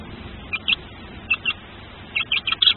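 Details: Tawny owl chick cheeping while hatching at a camera-watched nest: faint, high squeaks in pairs and small groups, growing denser toward the end, against a quiet hum.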